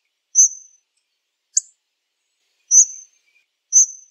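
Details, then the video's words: Calls of a hawfinch, high thin 'tzik' notes with a brief click between them, spaced about a second apart against silence. "Hawfinch Song! Hawfinch Call! Hawfinch Sound! - Picogordo Común Canto"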